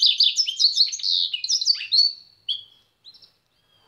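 A pintagol pours out a fast, bright twittering warble of high chirps and trills for about two seconds, then adds a few scattered thin notes.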